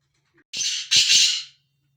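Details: Black francolin roaming free gives a harsh two-part call, a buzzy rasping note followed by a longer grating double squawk, against a quiet background.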